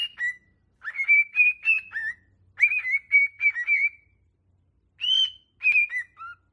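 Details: Cockatiel warbling, for training a pet cockatiel to sing: grouped bursts of bright, slightly buzzy whistled notes, a swooping start then level trills, with short gaps between phrases.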